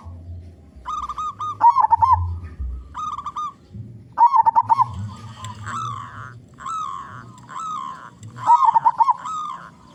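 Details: Active, big-voiced local zebra dove singing as a lure for other zebra doves: short coos and warbled, rolling coo phrases repeated through the recording, over a low background hum.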